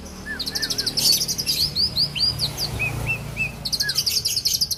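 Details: Oriental magpie-robin, an owned bird from Aceh, Indonesia, singing: clusters of rapid high buzzy trill notes alternate with clear slurred whistles that sweep up and down, delivered in quick varied phrases over a low background hum.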